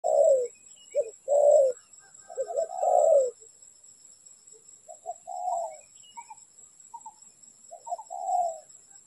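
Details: Spotted dove cooing at a bird-trapping setup: repeated low phrases of two short notes and a longer, rolling croo. Several phrases run close together, with a faint steady high whine in the background.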